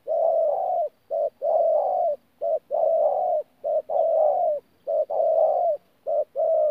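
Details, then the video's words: Wild-caught adult spotted dove in Tu Mơ Rông, Vietnam, recorded 14 January 2019, cooing in the thổ style mixed with gù notes: low, hoarse pairs of a short note then a longer droning coo, repeated steadily about once a second in a quiet room. "BỔI THỔ PHA GÙ QUÁ TỐT"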